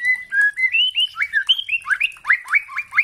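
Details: White-rumped shama, a spotted juvenile, in a kretekan lure recording used to spur young shamas into full song: a quick run of clear whistled notes, then sharp hooked upward-sweeping notes repeated about four per second.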